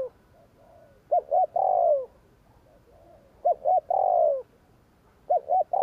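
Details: Spotted dove in gù kích luring song: two short sharp coos followed by a long, gliding, falling coo, the phrase repeating about every 2.3 seconds with faint soft coos between.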